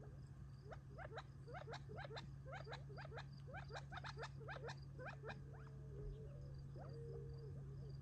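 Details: Gambel's quail flock feeding on treats near Tularosa Creek in July 2021 before retreating for the night; many quick upward-sweeping clucks repeat in dense runs, with a steady low hum underneath.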